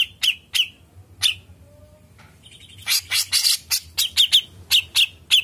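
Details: Grey-cheeked bulbul (cucak jenggot) singing persistently in the long 'ngepik panjang' style: sharp, bright chirps, first spaced apart, then a dense run of quick clipped notes with short trills, over a low steady hum.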